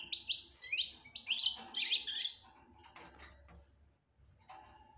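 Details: European goldfinch 'batbata' song: about two and a half seconds of fast, high twittering, then fading into rustling and knocking noises with background hum.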